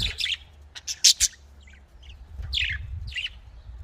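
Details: Budgerigar giving quick high chirps: a pair of sharp notes near the start, a short quiet gap, then two falling scratchy calls over a low background drone.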